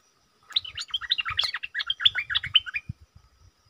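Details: Caged decoy bulbul singing at wild birds: a quick run of bubbly, liquid whistled notes, rising and falling, delivered in a steady burst for about two and a half seconds, with faint low thumps beneath.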